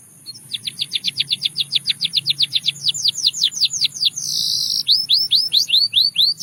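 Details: Russian singing canary with song meant to attract other canaries: an even, rhythmic series of sharp notes, about three per second, shifting to down-slurred whistles, a brief buzz and curved slurred notes.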